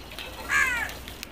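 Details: Crow giving a single short caw, a harsh harmonic note lasting about a third of a second that falls slightly in pitch at the end, over a faint steady background hiss.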